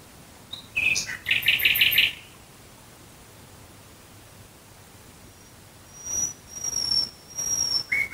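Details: Nightingale song at night near Dresden, Germany: a rapid buzzy rattle of repeated notes, then after a pause long thin pure whistles and a closing phrase, over quiet background hiss.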